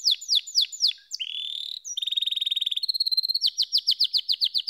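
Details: Canary song opening with a fast series of downward-sliding notes, then a buzzy roll, a rapid even rattle, and a closing string of bright sweeping chips.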